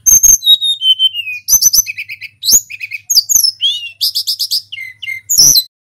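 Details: Local Hill Blue Flycatcher singing non-stop to provoke other birds: high whistles stepping downward, then varied buzzy twitters, fast trilled bursts and short sliding notes packed close together.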